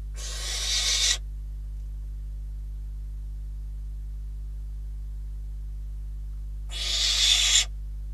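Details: Two harsh hissing screeches about six seconds apart, each near a second long, from barn owls nesting in Catalonia, caught by a live cam on 12 December 2021 while prey, first a bird then a rodent, arrived.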